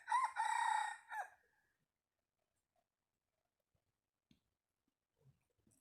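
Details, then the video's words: Decoy rooster crowing once: a loud, harmonic, slightly wavering cry of about a second that ends in a short, clipped final note. Faint taps and rustles follow in near silence. "tiếng gà mồi vip. suab Qaib qus Qua zoo dib tuaj zoo"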